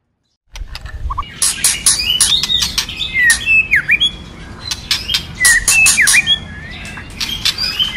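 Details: White-rumped shama song used by a female to stimulate the male: a dense, lively mix of sharp chips, clicks and swooping whistles, nonstop over several seconds.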